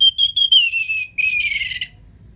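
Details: Ngeplong song of an orange-headed thrush, used to spur lazy cage birds to sing: several short piping whistles, a long sliding whistle, then a rough, buzzy phrase that fades out.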